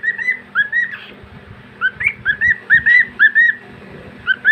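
A male cockatiel gives bright, rising whistled notes in quick repeated bursts.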